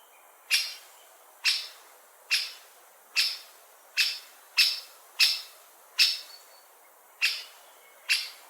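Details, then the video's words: Great spotted woodpecker giving a series of ten sharp, short, explosive 'kik' notes, each high and clipped, repeated roughly every 0.9 seconds over a quiet background. "Woodpecker Call"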